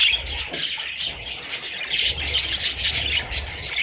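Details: Baby parrots in a constant high chattering of scratchy chirps and squeaks, overlapping without pause, with a low rumble beneath.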